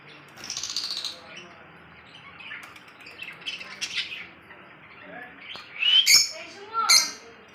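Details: Lovebird in Kolkata: soft, faint chatter early on, then two loud, sharp, high chirping bursts near the end with quick downward-sweeping notes.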